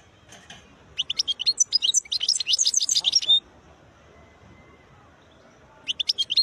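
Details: European goldfinch, a khlawi bird singing beautiful notes: an energetic two-and-a-half-second phrase of rapid, high, sparkling twitters and chirps, a pause with a faint thin tone, then fresh twittering.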